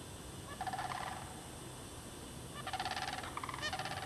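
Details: Sandhill cranes at Derby Reach Park's bog, March 2009, with signs of mating. A short rolling call is followed by a longer, louder run of rattling notes near the end, with several pulses in quick succession.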